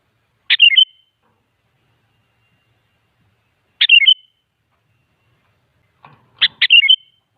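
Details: Sooty-headed bulbul, an energetic singer used as a lure to draw replies: three bubbly phrases of a sharp note and slurred liquid whistles, roughly every three seconds, with a faint knock before the last.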